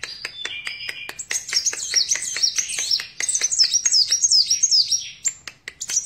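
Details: Sunbird, locally called kolibri wulung or kaca, singing vigorously: fast, high twittering phrases of thin sliding whistles and chips, over a steady train of sharp dry clicks.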